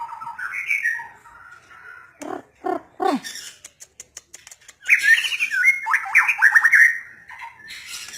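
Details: White-rumped shama singing a varied phrase: rich whistled notes, then a series of harsh clicking bursts, and finally a fast, bright warble of descending slurred whistles. The background is quiet.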